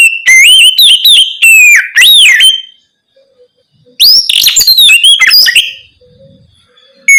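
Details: Oriental magpie-robin singing at night to stimulate other birds to sing; looping whistled notes, then a burst of harsher rapid chatter after a pause.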